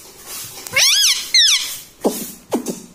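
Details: Pet talking parrot, locally called mitthu or tota, kept indoors and taught to say words such as mummy and papa: arched, squeaky, harmonic voiced calls, two long bending notes followed by two short falling chirps.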